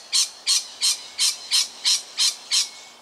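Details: A lorikeet, nervous at a nearby tiger snake in suburban Melbourne, Australia on 13 October 2019, gives eight harsh, screechy squawks at an even pace, roughly three per second, high-pitched and grating.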